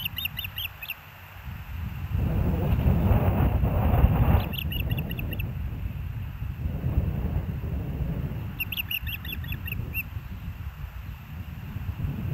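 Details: Osprey calling at the Hellgate nest, live nest camera, 06/09/2024, 13:17: three bursts of rapid, thin, whistled chirps, each lasting about a second, separated by gusty low wind roar that swells in the middle.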